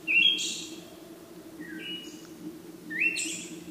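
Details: Siberian thrush singing, recorded 17 June 2017: a rising whistle ending in a buzzy burst, a lower two-part whistle in between, then the rising buzzy phrase again, with a low hum beneath.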